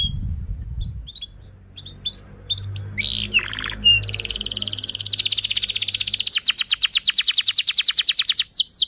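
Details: Canary song used as therapy for canaries that have stopped singing: sparse short chirps and a low rumble at first, then a buzzy phrase and two sustained fast trills running to the end.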